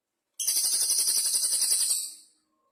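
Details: High-pitched, rapid chattering trill of a velvet-fronted nuthatch (cililin), singing actively between pauses; the even run of sharp notes lasts roughly two seconds before tapering away, with a clean background.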